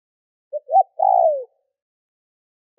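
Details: A lure spotted dove, kept to attract wild birds, coos one phrase: two brief soft notes, then a drawn-out coo that falls in pitch. Another call starts just as the recording ends, and nothing else is heard.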